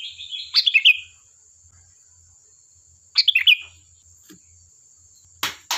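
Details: Sooty-headed bulbul singing, used as a lure to prompt replies from other bulbuls: two bubbly phrases of rapid notes, about two and a half seconds apart, then a sudden loud crackling burst at the end, over a constant high tone.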